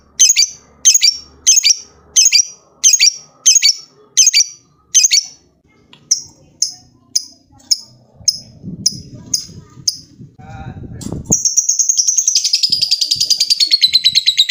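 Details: Lovebird calling a rival. Regular harsh high squawks about twice a second fade into a low rattling noise, then a fast high ngekek trill begins and continues to the end.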